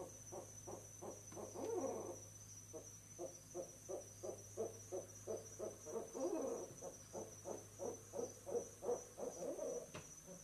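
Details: Barred owl pair at a nest box, early evening, 11 November 2008, interacting and hooting in unison to mark the nest spot; ten seconds of steady rhythmic low hoots, roughly three a second, with two louder overlapping surges.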